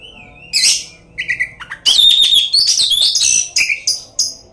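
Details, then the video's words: Oriental magpie-robin song used as a lure to get other magpie-robins singing; a whistled note and short burst, then fast continuous rich warbling of buzzy and clear whistled notes, low hum behind. "pancingan kacer bikin lawan dijamin ampuh"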